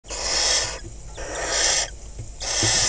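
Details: Wild barn owls at a nest box in crop fields of Kibbutz Snir, Hula Valley, northern Israel, 26 May 2020, with five young, as the male brings a rodent and mates; three long, harsh, breathy hisses, each about half a second.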